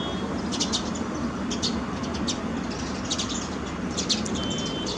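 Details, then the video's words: Sparrows chirping on a rainy-day terrace garden: short clustered bursts of quick high tweets, spaced about a second apart, over a constant wash of rain. "Sparrows on our terrace garden,in rainyday,"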